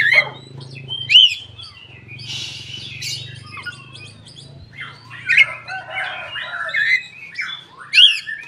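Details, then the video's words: Koci singing, used as a lure to coax other koci into song: short sharp chirps and rising whistled notes spaced about a second apart, with a low steady hum underneath and a brief noisy burst midway. "suara burung koci buka ekor||pancingan koci bahan ombyokan"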